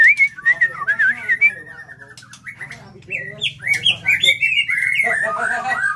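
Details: Captive fighting-quality white-rumped shama, set out in daytime sun at a relative's breeding farm, pours out a rich, varied song of clear whistles, warbles and quick chattering phrases, barely pausing, over a low hum and faint voices.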